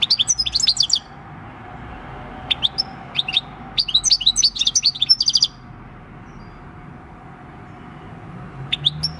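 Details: European goldfinch, a six-year-old field-caught bird, recorded 26 December 2019 delivering field-type song: three bright, tinkling twitter bursts of rapid high notes separated by quiet pauses, with a faint low hum beneath.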